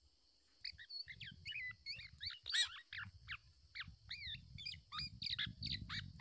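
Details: Black-naped oriole parent guarding its chick against an attacking male; quick run of high, twisting whistled notes and squeaky chatter over low rumbling background noise, with one sharp click midway.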